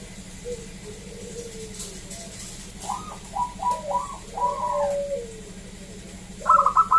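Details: Local zebra dove: softer low coos and a middle run of rolling notes, ending with a sharp burst of quick staccato cooing.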